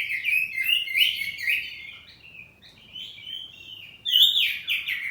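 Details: Kacer poci oriental magpie-robin kept at home, singing in ngeplong style with answering phrases: fluty whistles and quick twitters, a quieter drawn whistle in the middle, then a loud sharp burst of notes.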